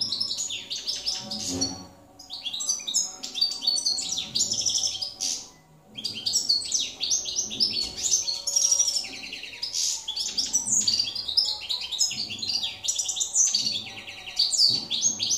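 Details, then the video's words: Jilguero campero, a field goldfinch, recorded 2017: sustained twittering song with dense high chirps and liquid trills, broken by brief gaps near two and six seconds, over a low steady hum. "jilguero campero"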